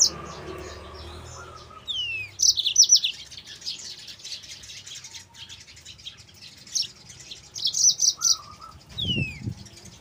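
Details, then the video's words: Yellow-fronted canary tutor and lure song: scattered high chirping phrases and a few downslurred whistles, softer and more broken than a full song, with low whistles and a thump near the end. "MASTERAN BURUNG MOZAMBIK GACOR"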